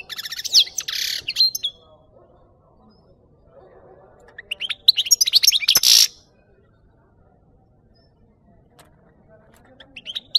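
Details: European goldfinch song played to lure birds for capture: short bursts of bright twittering and a buzzy rattling phrase, with long quiet gaps between.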